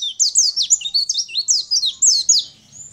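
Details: Champion Sunda white-eye in nonstop song, recorded to train other birds: about a dozen clear, high, quickly falling and rising notes in a lively three-second run.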